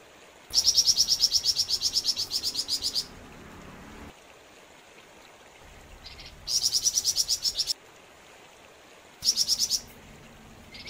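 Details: Flamboyan bird singing vigorously in three bursts of fast, high, ringing chirps, the first long and later two shorter, with faint short phrases and quiet gaps between them.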